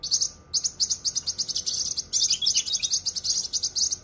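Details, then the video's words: High, fast cucak kinoi song from a masteran recording called dense and sharp: almost continuous shrill twittering, one short pause early on, notes tumbling rapidly over a quiet background. "suara masteran cucak kinoi full suara rapat tajam"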